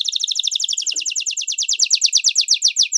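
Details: Atlantic canary song for training young birds and birds coming out of moult: a steady fast trill of paired bright notes, about ten per second, slowly dropping in pitch.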